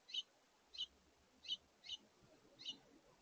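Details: A House Finch family with juveniles at a feeder around brunchtime on 17 August 2023; five short, high, bright chirps at slightly uneven intervals, about one every half second, over quiet background.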